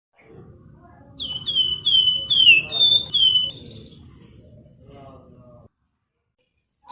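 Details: Javan grey-throated white-eye, a lively cage bird used as a lure and master song for training other birds: a short run of clear, high whistled notes, each sliding slightly downward, over a low background hum.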